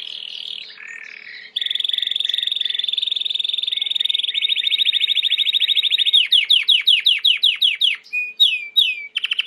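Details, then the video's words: Timbrado canary in full song for training: a long, steady, fast metallic roll that gradually slows into separate descending sweeps, then clipped ringing notes. "Chant de Canari timbrado / the wonderful sounds of canary bird chirping / canario timbrado cantando"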